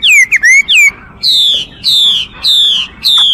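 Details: After a few quick looping whistles, a Chinese hwamei sings four long, pure notes, each gliding slowly downward and spaced roughly half a second apart.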